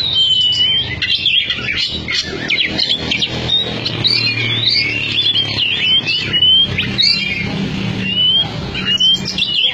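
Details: Caged Oriental magpie-robin, a former Cianjur contest bird, repeating sharp upslurred whistles and buzzy notes in a busy sequence, with a steady low hum and some background noise.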